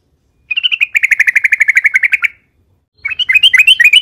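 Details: Yellow-vented bulbul in long, loud song meant to lure other bulbuls into singing; an even, rapid trill of about eighteen notes, a pause, then quick looping chirps.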